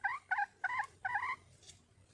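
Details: Wild hen red junglefowl calling for a male: four short, rough, nasal clucks, evenly spaced about three per second, then quiet with faint background hum.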